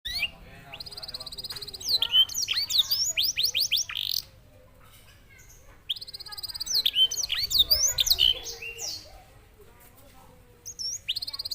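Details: Canary singing, its song said to resemble a songbird from Senegal: two bursts of rapid, descending whistled sweeps and sharp chips, each lasting about four seconds, separated by quiet pauses, over a steady low hum.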